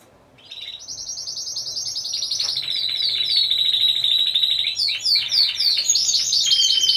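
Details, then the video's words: Timbrado Español canaries in a team category (groups of four) at a song competition and exhibition, 25 November 2015: after a quiet start, dense rolling metallic trills build up, with rapid repeated notes changing pitch in high registers. "Καναρινιών Φωνής Timbrado Español"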